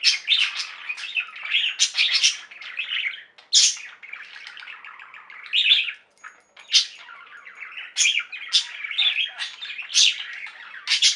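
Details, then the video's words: Budgerigar flock chirping and warbling, soft continuous twittering interrupted by sharp loud chirps, a couple of brief pauses, and a faint thin whistle. "Most Beautiful Budgie songs Ever: Budgies singing and chirping"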